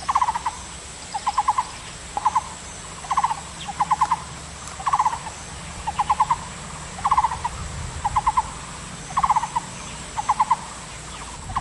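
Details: Taiwan barbet singing: short bursts of three to five rapid, hollow, mid-pitched notes, each burst repeated about once a second in a steady series over a constant background hiss.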